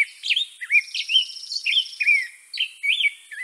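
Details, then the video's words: European robin (Erithacus rubecula) in song, delivering rapid, varied high warbles and slurred whistles, with a thin, fast buzzing trill running above the notes in the middle. "Bird Song - European Robin"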